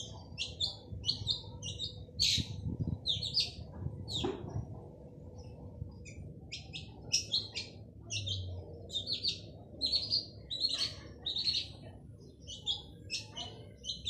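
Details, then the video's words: Energetic male long-tailed shrike in full song, kept to prompt silent shrikes to sing: a long run of sharp, chattering high notes, some downslurred, delivered in rapid bursts with short gaps, with faint low hum behind. "Burung cendet jantan gacor dor cocok untuk pancing cendet bisu"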